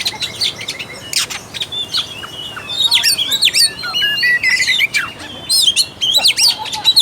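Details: Oriental magpie-robin singing as bait to spark a reluctant bird: sparse sharp notes at first, then a lively sequence of whistled slurs, chattering chips and repeated flat whistles.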